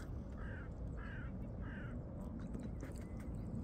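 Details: Geese honking in the background while a swan feeds on seeds; three short nasal honks about half a second apart, then quieter rustling with a steady low rumble throughout.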